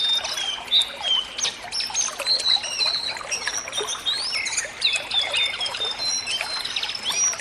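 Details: Sunda laughingthrush in a clear natural recording meant to draw song from a caged bird: many overlapping high whistles, several gliding up or down, repeat throughout, with a soft constant water trickle and faint low hum beneath.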